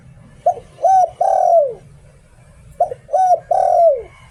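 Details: Decoy spotted dove in 'liu tan' song style. It gives two phrases about two seconds apart. Each phrase is a brief coo, a rounder hoot, then a long, drawn-out note falling away. A soft background hum is present.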